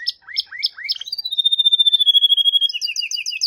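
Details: Canary song with a few sharp upswept notes, a long gently falling whistle, then quick paired trilled notes repeated at a rapid pace.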